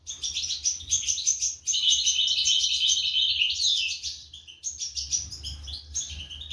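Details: Young European goldfinches begging as adults feed them, recorded in 2023; bursts of shrill, buzzy twittering in quick succession, one long intense stretch in the middle, then scattered chirps.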